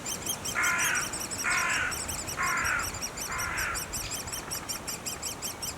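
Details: High rapid squeaking of great spotted woodpecker nestlings runs throughout at the nest, while four louder, rougher lower bursts about a second apart cut across the first four seconds.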